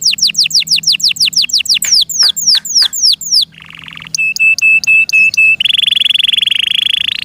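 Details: Canary kept in captivity singing a varied, loud song: rapid repeated downward-sweeping whistles, a short buzzy burst, clipped metallic notes repeated evenly, then a sustained fast rattling trill; a faint low hum persists underneath.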